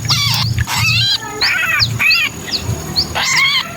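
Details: Sooty-headed bulbul distress call, kutilang kejepit, meant to attract wary bulbuls: buzzy, scratchy squawks with rich overtones, interspersed with thin, high, quick downslurred notes, over low background rumble.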